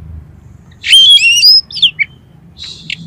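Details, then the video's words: Oriental magpie-robin in full song packed with mimicked fill material, played to prompt competition birds. A harsh burst opens into high, bright whistled slurs and sharp chips, then pauses before a few faint notes. A low hum runs underneath. "KACER GACOR FULL MATERI MIUNTAH ISIAN || COCOK UNTUK PANCINGAN KACER LOMBA"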